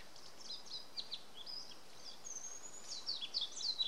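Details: Several Japanese white-eyes (Zosterops japonicus) feeding on spindle-tree berries in a garden give thin, high twittering notes, quick and irregular, some sliding down in pitch, over a soft steady outdoor hiss.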